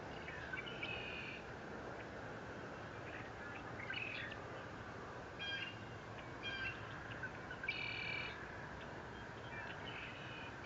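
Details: Eagle at the Fort Saint Vrain nest camera, 30 April 2021: scattered high, squealing notes with ringing overtones, some drawn out for half a second, coming in brief bursts across ten seconds against constant outdoor hiss and a low hum.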